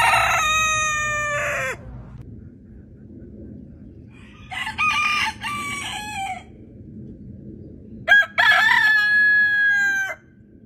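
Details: Three loud, rich rooster crows spaced a few seconds apart, each a sustained harmonic call ending in a downward slide, over a low steady hum.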